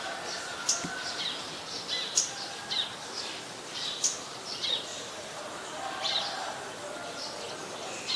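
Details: A scarlet-backed flowerpecker in Ubon Ratchathani, Thailand, on 5 February 2020 gives sharp, very high ticking notes about every two seconds, with softer chips between them over a steady background hiss.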